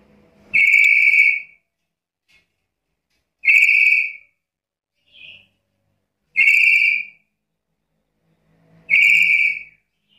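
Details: Black-capped lory repeating a loud, clipped, high screechy note roughly every three seconds, four calls in all, with one faint short squeak between them; otherwise quiet.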